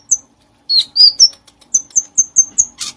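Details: Light-vented bulbul song meant for tutoring songbirds: a scatter of high, clear whistles, then an evenly spaced string of short piping notes ending in a harsh burst.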